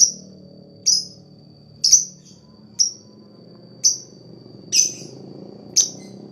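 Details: Lovebird therapy sound meant to prompt rival birds to chatter quickly: a series of high, sharp chirps spaced about a second apart, some slightly rougher, over low murmuring background noise.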